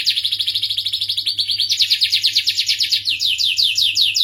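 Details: Canary of the starblue type in full song: quick series of sharp down-slurred chirps, then rapid rolling trills with falling notes repeated about three times per second, continuous and loud, with a low background hum.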